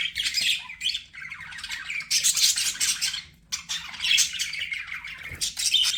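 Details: Busy chirping from pet budgerigars: grating squawks and twittering warbles in two long bursts separated by a brief lull, all high-pitched.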